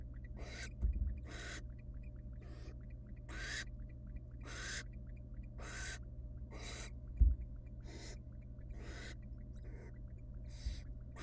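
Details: Barn owl chicks in a wild nest box beg as the female tears rabbit into tiny pieces for them. A long run of short, noisy screeching hisses repeats every half second to second, with a few soft thumps and a steady hum.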